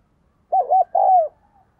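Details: Single loud spotted dove phrase: two short arched coos run together, then a longer, slightly falling coo, all low and mellow.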